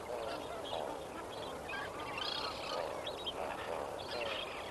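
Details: Lesser Flamingos at Kamfers Dam at sunrise on 18 May 2024. A dense, steady chorus of many birds gives overlapping nasal honks and gabbling notes with no pause, and a few higher, sharper calls stand out above it.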